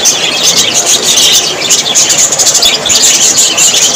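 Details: Happy budgies, Australian parrots, fill the air with a thick wall of high, overlapping chirps and warbles, constant and loud with no breaks.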